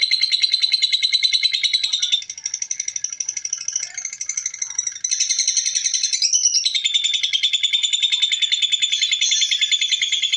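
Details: Lovebird giving its ngekek, a long unbroken chatter: fast, rattling high notes at about three per second, steady in pitch, with a brief change in tone midway before the run resumes.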